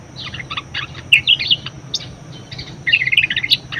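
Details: Budgerigar song for teaching other birds: scratchy chirp clusters, a brief rising squeak, then a fast run of buzzy chattering notes at the end.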